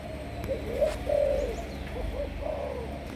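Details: Malaysian spotted dove used as a decoy bird: a short series of mellow coos, one held longer, with soft follow-up notes over low background hum.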